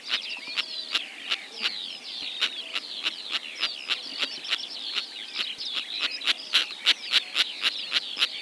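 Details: A flock of eight Sociable Lapwings in Kazakhstan, recorded 2025, keeps up rapid staccato rasps, several per second, over busy twittering and buzzing notes, growing louder toward the end.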